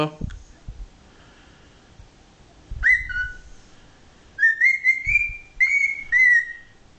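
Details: Pet male cockatiel, 13 years old and still learning new words, gives a series of clear whistled notes: a rising-then-falling pair, then a run of short upslurred whistles and a longer wavering phrase, with soft handling noises and a person speaking briefly.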